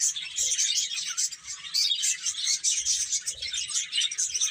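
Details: Chicks eating and playing, giving a steady stream of high-pitched, overlapping peeps that form an unbroken, lively chorus.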